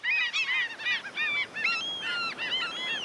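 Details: Seaside gulls hanging and gliding on the wind call in loud, strident, nasal cries run close together, some notes drawn out and level, others short and bent.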